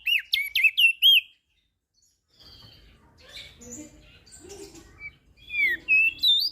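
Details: Crested white-eye of Lombok, song used as a tutor for birds that rarely sing: a quick burst of looping whistles, a quiet gap, soft scattered chirps over low noise, then renewed whistled notes.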